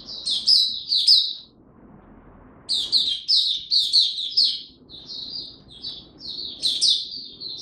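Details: Oriental white-eye in buka tiong aw song while ramping up form, dated 03-01-2022: energetic bursts of high, tinkling chirps, a pause of over a second, then longer rapid phrases of sharp twittering notes.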